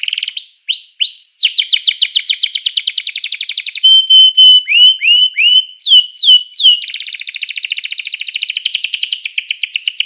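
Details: Canary singing to spur other canaries on: rising whistled notes, a long rapid rattling trill, then clear descending slurs and a fast buzzy trill continuing to the end.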